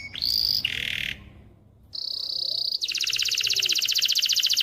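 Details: Canary male song meant to train young birds to sing and prepare females for mating: a rising whistled note, a harsh buzzy burst, silence, a steady pure tone, then a long fast rolling trill.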